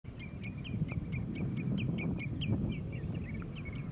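A common redshank gives a rapid, steady series of short, clear piping notes, about five a second, over a heavy low rumble of wind or distant traffic.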